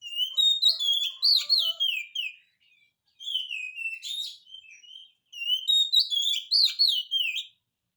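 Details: Vigorous oriental magpie-robin song as a lure for birds slow to sing: three loud bursts of clear wavering whistles and quick sharp notes, separated by brief pauses.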